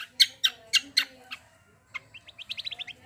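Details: Cucak kombo in full song meant to provoke other birds into singing: four loud, harsh, high chips, a pause, then a quick rising series of clipped whistled notes.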